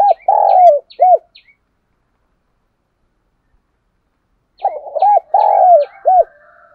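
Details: Spotted dove cooing and calling, used to lure wild doves in Dong Nai, Vietnam: a phrase of low hollow coos with a rolling middle note and a final coo, a long silence, then the phrase repeats.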